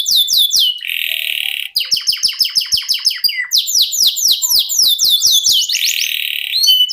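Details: Canary singing a long 'ngerol' song of fast descending whistled notes alternating with buzzy high trills, with a brief pause near one second and soft clicking sounds underneath.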